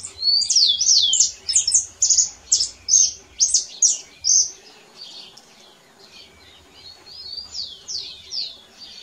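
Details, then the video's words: Singing canary in natural surroundings: an energetic burst of sharp, sweeping whistled notes and trills for four seconds, then softer, quieter warbling phrases with short gaps before a final bright flourish. "CANÁRIO CANTADO. CANÁRIO CANTADO NA NATUREZA BIRD SININGING"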